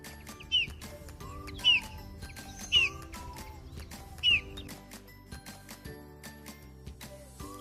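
Eurasian bullfinch giving four soft, piping whistles that dip slightly in pitch, spaced about a second apart, over quiet background music with light clicks.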